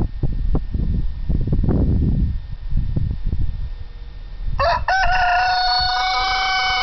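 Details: Rooster crowing among chickens: low scratching and soft clucking fill the first four seconds, then one loud, ringing, harmonic crow starts and holds steady until it is cut off at the end.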